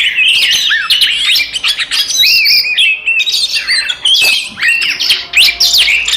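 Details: Five Oriental magpie-robins singing aggressively to provoke other magpie-robins. Loud, varied whistles and curling slurs tumble over one another, mixed with scratchy chatter, in an almost unbroken torrent.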